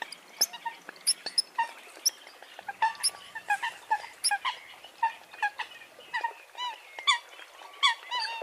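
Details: Eurasian coots calling in a group: short nasal, harmonic squeaks and yelps overlap irregularly, several each second, some rising or bending in pitch, with no other clear sounds.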